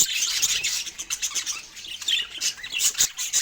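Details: Budgerigar chirping while eating fruit: rapid, overlapping high tweets and scratchy warbles with a few clear whistled notes, steady throughout.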